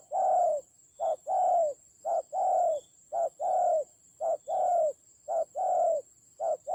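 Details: Fighting spotted dove acting as a decoy, Central Highlands, Vietnam, October 2020: loud low coos in regular short-long pairs, the long note gently falling at its end, roughly six pairs, over a persistent high steady tone.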